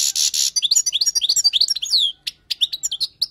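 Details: European goldfinch, wild, song used for tutoring: opens with harsh buzzy notes, then a fast run of tinkling twitters and downslurred chirps, short pause, more chirps.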